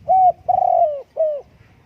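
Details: Spotted dove cooing: three mellow, hollow notes, a short first coo, a longer drawn-out middle coo that slides slightly downward, then a brief closing coo, in a quiet setting.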